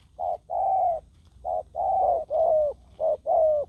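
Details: Spotted dove used as a ground decoy to lure wild doves; a wild bird caught yet still fighting. Low, hollow coos, each gliding slightly downward, come in short and drawn-out notes grouped in uneven runs over a faint low hum.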